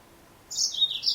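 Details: Female Yellow-fronted canary, Serinus mozambicus: a fast run of high, thin chirped notes sliding down in pitch, ending with a sharper upward chip, clear over light background noise.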